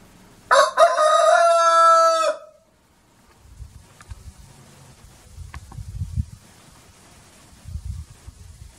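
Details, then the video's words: Rooster crowing, linked to Maundy Thursday and Peter's denial: one long, loud, harmonic cock-a-doodle-doo lasting nearly two seconds, followed by quiet low rumbling and faint clicks. "Rooster Crowing"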